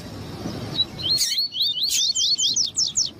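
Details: Double-collared seedeater with a female calling to excite the male, as bred for song tournaments: after a soft opening note, a fast run of rising whistled slurs accelerates into sharp, closely spaced downward-swept notes.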